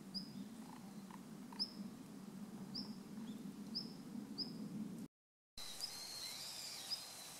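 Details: Long-tailed rosefinch male calling, recorded 29 December 2013: brief high whistled call notes at roughly one-second intervals over a low background hum, then a short break and faint distant chirps.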